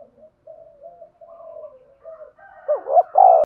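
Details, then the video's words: Decoy spotted dove used as a lure for trapping, giving its calling coo: a run of soft, low murmuring coos, then a loud two-part coo with a bent, wavering first note and a fuller second note at the end. "tiếng cu gáy mồi chuẩn gáy gọi và THÚC dùng kích bổi hiệu quả nhất"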